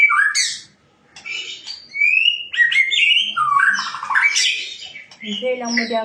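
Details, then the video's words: White-rumped shama song of varied whistles, slurred rising and falling notes and rapid warbled runs, delivered in bursts with short pauses, ending in a harsher, lower note. "Shama birds..calling bird singing Bird"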